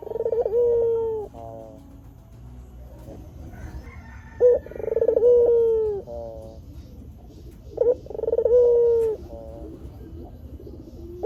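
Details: Barbary dove, a white dove used as a lure to draw wild doves and as a training model for caged birds, giving low, rolling coos that open with a short rising note, then a long held falling tone, repeated about every three and a half seconds.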